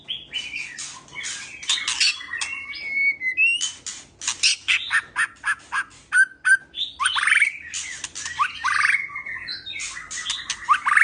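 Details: Male white-rumped shama kept in an aviary, calling a female to mate: a rapid, nearly unbroken run of harsh scratchy bursts mixed with short clear whistled notes and slurred phrases.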